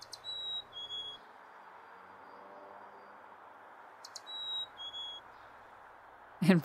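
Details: A male chickadee on a summer morning sings his clear two-note fee-bee song outside the nest box while his mate sleeps inside: a high note then a lower one, twice about four seconds apart, over a low hum and a closing thump.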